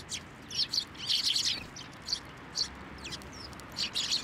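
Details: Sparrows taking food from posts and from hands at a Tenmangu shrine, 24 November 2023: short bright chirps in scattered bursts, some doubled or clustered, with brief gaps between groups.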